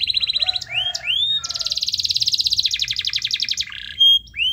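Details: Canary song used to prompt lazy canaries to start singing: rapid trills and rattles around high pitch, rising upslurred whistles, a long fast buzzy trill, then a bright steady note and a final rising whistle.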